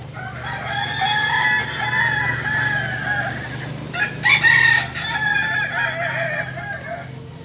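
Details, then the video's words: West Sumatran Kokok Balenggek cock from Solok, a breed with a multi-tiered crow of three up to nineteen steps. A long, steady harmonic crow is broken midway by a brief, sharper burst, over a constant low hum. "Ayam kukuak balenggek ayam asli solok sumbar"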